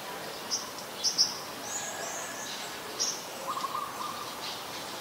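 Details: Olive-backed sunbird (Cinnyris jugularis), call.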